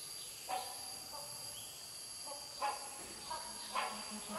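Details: Hornbills call around 11:00 on 21 August 2020 at Sungai Papan campsite, Royal Belum State Park, Perak, Malaysia, giving short, harsh, barking honks at irregular intervals, about five in four seconds, over a steady high drone of forest insects.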